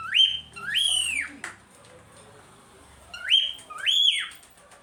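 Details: Chattering cockatiels give two pairs of bright rising-falling whistled calls, separated by a quiet gap of about two seconds.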